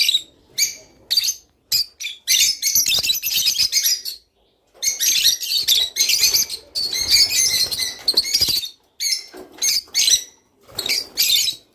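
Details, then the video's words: Song of a rice finch, used to stimulate breeding birds to mate: rapid high chattering and squeaky twitters in long runs, broken by brief silences and a single pause. "تغريد روز / صوت روز/حفزطيورك علي التزاوج"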